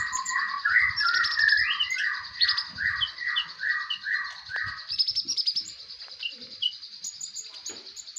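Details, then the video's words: Brown-throated sunbird (konin) tutor song for songbird keepers: a rapid stream of repeated chattering notes over a steady high buzzing hiss, thinning to scattered chirps. "Konin mewah masteran wajib kicau mania"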